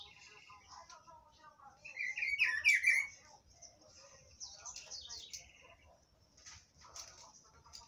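A Rufous-browed Peppershrike gives a loud, rich burst of whistled notes midway, among scattered high chirps and thin twittering from other small birds.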